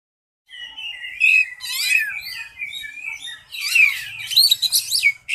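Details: Caged contest Oriental magpie-robin singing at a competition: a rich, varied run of bright whistles, sweeping slurs and rapid trilled phrases, growing denser and louder after a short pause midway, with faint low background noise.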